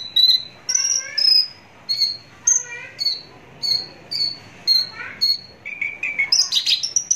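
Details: ['Close-up Javan bush lark giving repeated clear whistled notes at shifting pitches, about two per second, ending in a burst of rough, buzzy chatter.']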